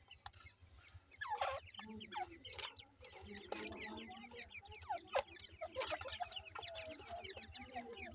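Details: Francolin chicks being fed, a crowd of high, short descending chirps tumbling over one another, mixed with sharp taps and a low humming drone underneath.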